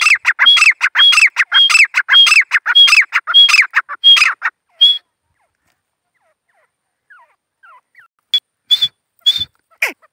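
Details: Grey francolin, a wild bird, calling in a fast series of loud, ringing, repeated notes with a high whistled tone, about five seconds of rapid phrases, then a pause and a few scattered higher notes.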